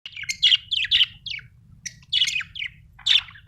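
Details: Happy budgerigar chirping from Australia: short bright twittering chirps in quick bursts, grouped into several phrases with brief pauses, over a faint low hum.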